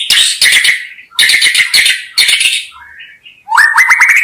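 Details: Energetic white-rumped shama singing for bird-luring: harsh, rattling chattering bursts separated by short gaps, then a quick series of bright rising whistled notes at the end.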